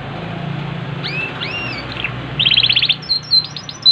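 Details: Yorkshire canary in lively song, opening with two upward-slurred whistles, then a fast, evenly pulsed trill followed by short high chips. A steady low hum sits in the background.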